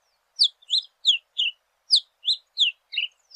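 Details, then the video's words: Fast variation of the yellow-billed cardinal's song, with sharp high notes falling in pitch at roughly three per second in a brisk, uneven run against silence. "Cardenilla Cantando - Yellow-billed Cardinal Singing"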